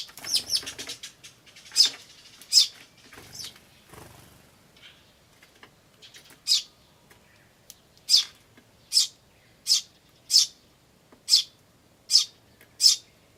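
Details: Tree sparrow chicks begging with "chi chi" cries among calling adults, May 2013: messy overlapping chirps at first, then a steady series of sharp high notes, one every second or less.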